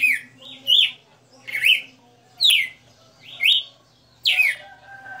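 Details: {'c': "Caged Red-cowled cardinal (galo-de-campina) singing its '60 notas' style live: clear whistled notes rising then falling sharply, one phrase roughly every second, with a faint low hum beneath."}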